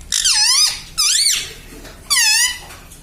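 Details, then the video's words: Parrot kept as a pet, speaking words like papa and mummy: three clear, shrill syllables, each dipping and rising, evenly spaced about a second apart. "पापा बोलता तोता || papa papa bolne vala parrot || parrot talking mummy papa"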